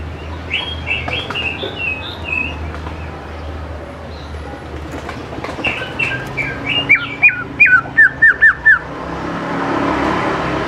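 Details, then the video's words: Greater green leafbird singing constantly, a lure recording meant to draw young leafbirds into song: scattered chirps around mid-pitch, then a quick run of short, clipped, sharply bending whistles near the end, over steady low rumbling background noise. "CUCAK IJO GCOR SANGAT AMPUH BUAT PANCINGAN CUCAK IJO MUDA BAHAN LANGSUNG NYAUT IKUT GACOR DOR"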